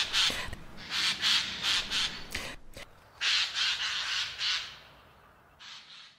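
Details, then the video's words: Eurasian jay, a colourful crow-family bird of Europe and Asia, giving loud, harsh, raspy screeches, about four in quick succession, a pause, then three more, fading at the end. "Its song is a mixture of loud, harsh screeches"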